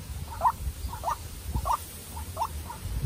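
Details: Young decoy White-breasted Waterhen dueling a wild bird: four or five brief rising notes at uneven intervals, partly masked by a loud low rumble.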